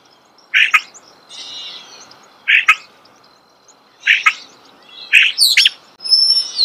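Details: Starling song heard close: harsh clicking bursts about every one and a half seconds, with soft scratchy warbling between them and a thin high whistle near the end.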